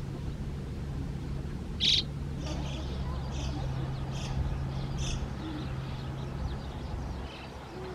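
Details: White-cheeked starling in a park among flowering hydrangeas in 2023, where starlings sing actively and walk foraging, gives one loud, harsh, grating call, then a few fainter scratchy chirps over several seconds, against a steady low mechanical hum.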